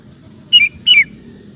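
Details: Sooty-headed bulbul, a vigorous-singing bird in a recording used to tutor cage bulbuls at home, gives two short, bright whistled notes, each dropping in pitch, about a third of a second apart, over a faint low background hum.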